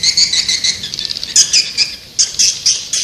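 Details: Swiftlet calls: high, buzzy chirps layered into dense twittering, with sharper squeaky notes repeating in short bursts after a brief quieter gap.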